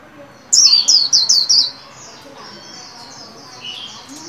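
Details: White-eye kept in a cage and being trained for its líu song around new year 2021: a rapid burst of four sharp, falling whistled notes, followed by softer high twittering and quiet background noise.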